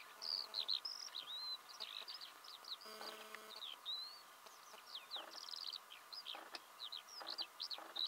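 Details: Eurasian skylark singing in Belarus in March 2016, early spring: a continuous, rapid stream of high, twittering, warbling notes with slurred whistles and trills, with brief broadband noise bursts in the background.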